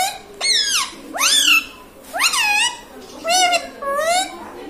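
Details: Pet green ringneck parrot talking, mimicking words such as mummy and papa: a run of high, nasal, sharply rising and falling syllables, about six short word sounds in quick succession, recorded indoors in a small room.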